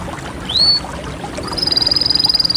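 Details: A single canary gives one rising whistled slur, then after a pause starts a fast, evenly pulsed high trill that runs to the end.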